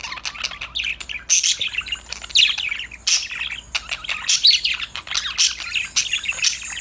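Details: Budgies chirping and chattering together, playing and singing: a dense stream of short high chirps, squeaky twitters and scratchy notes from several birds overlapping throughout.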